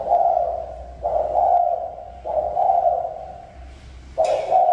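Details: Spotted dove cooing: four low, husky coo notes of about a second each, run almost back to back, the last one opening with a brief sharp click, over a faint low hum.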